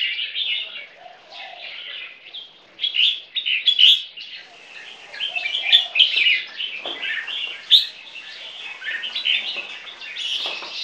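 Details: Ten-month-old caged crossbred bulbul of champion bloodline, sired by an imported Burmese red-whiskered bulbul and with yellow-vented bulbul in its lineage, singing against a rival bird in a contest: dense, continuous bright chattering warbles and whistles.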